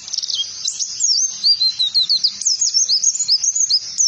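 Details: An oriental white-eye sings in ngalas style as a trigger recording for training other birds. The song is a clear, shrill warble of fast looping and dipping notes, very high, pouring out in an unbroken ripple with a quiet background.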